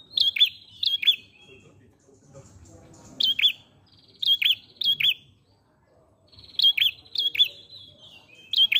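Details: Prenjak pala merah, or ashy prinia, sings clusters of sharp two-note chirps, high then dropping lower, in groups of two or three separated by pauses of about two seconds, over faint low noise.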